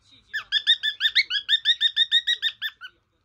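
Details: Male cockatiel kept as a pet, serenading his portrait with a quick run of about thirteen bright, evenly spaced chirps, each a short upward-bending note, in under three seconds.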